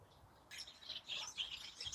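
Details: House sparrows in an allotment hedge in late October–early November 2020 chatter in a dense, overlapping run of bright, high chirps after a quiet half-second; they go quiet when someone walks in.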